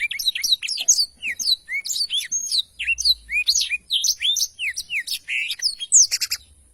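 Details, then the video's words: Long rolling song of a Black-throated Canary, recorded cleanly for tutoring birds: steady stream of curved, upslurred and downslurred whistles and crisp chirps, closing with a dense high flourish. "Tarikan Suara Blackthroat Super Gacor Ngerol Panjang"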